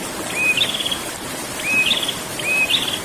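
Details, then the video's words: Continuous ngerol singing of a prinia (prenjak): three quick phrases less than a second apart, each a thin whistle that jumps into a high rattling trill, backed by steady rushing noise. "burung prenjak ngerol"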